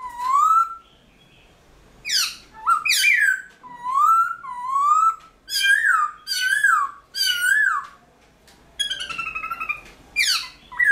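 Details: Black-throated laughingthrush (Garrulax chinensis), kept caged, in early-morning song: loud rising whistles and steep slurred sweeps alternate in phrases about a second apart, with a softer, buzzier passage near the end.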